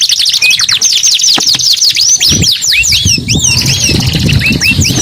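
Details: Canary song with rapid, steeply sweeping whistled notes in fast trills, some downslurred and upslurred phrases, loud throughout; low rumbling background noise in the second half.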